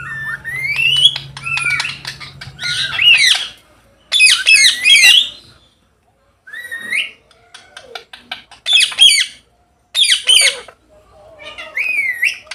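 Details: Parrots at play in a field on an autumn afternoon, uttering rising whistled squawks and chattering bursts in irregular groups, with a low hum early on and pauses between bouts.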